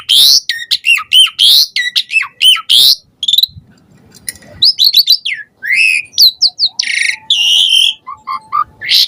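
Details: An Asian pied starling sings chattily with varied borrowed phrases while pumping, a lure to make other starlings reply: rapid buzzy and whistled notes, a short pause with a faint low rustle, then sweeping whistles, squeaks and rasping bursts.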